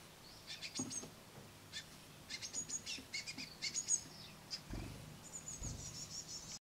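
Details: Great tit parent feeding a noisy brood on a window sill with crushed madeleines; steady stream of high-pitched chirps and thin squeals from the young, with a few soft low thumps.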